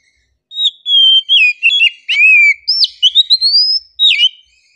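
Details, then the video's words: Relaxed oriental magpie-robin song, the kacer's chirping: sweet whistles and slurred notes in varied phrases, with a brief burst of short rapid notes and a final sharp downward whistle. "KACER KICAUAN SANTAI"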